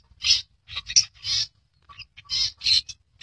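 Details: Albino red-eyed long-tailed shrike, described as rare, uttering a rapid run of scratchy, rasping notes, about seven bursts in three seconds, some clipped and short, others drawn out, over a faint low hum.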